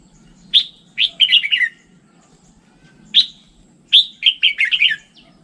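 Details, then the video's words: Red-whiskered bulbul song: a sharp opening chirp followed by a quick tumbling series of slurred, descending whistles, the phrase repeated after a pause, over a soft low hum. "Tiếng chim chào mào chuẩn"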